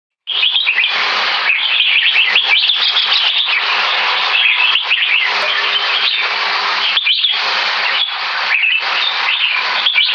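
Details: Red-whiskered bulbul, a caged competition bird aged about three years two months, rated Butir Top 3, delivering high-speed keke and butir singing: dense, loud, chattering warbles with sharp whistled notes, almost unbroken, with brief pauses near seconds seven and eight.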